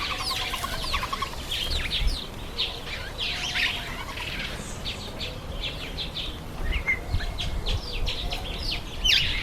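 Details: Masked weaver in its September–October breeding season: dense outdoor chatter of many quick chirps and buzzy downslurred notes, overlapping and continuous, with a short run of lower rapid pulses near the start.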